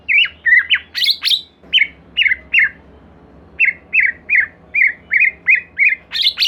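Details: Lure song of the white-rumped shama to make a second shama sing: mixed whistles and sharp high strokes, then a long run of about a dozen repeated husky chirps at a steady pace, ending on a high burst.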